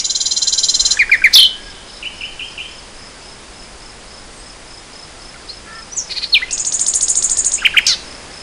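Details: Spring 2014 recording of a nightingale: a buzzing high rattle and trill, soft fluty notes, a long pause, then another strophe of rapidly pulsed notes and sharp accents.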